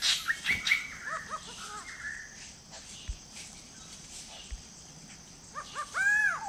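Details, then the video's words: Large Scimitar Babbler at a forest drinking pool in Kulen National Park gives short, mellow arched whistles, a quick run at the start and a louder ringing pair near the end, over faint forest hiss. "The call of the Large Scimitar Babbler"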